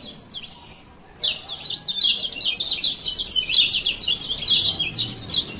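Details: Male kecial kuning ciak ciak calling as a lure for a silent caged bird: quiet start, then from about one second a steady stream of sharp high chirps repeated unevenly over faint background noise.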